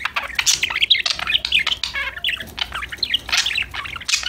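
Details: Group of happy budgies playing and singing; loud, fast chattering warble of squeaky chirps and burbling notes with sharp clicks, overlapping calls filling the whole clip.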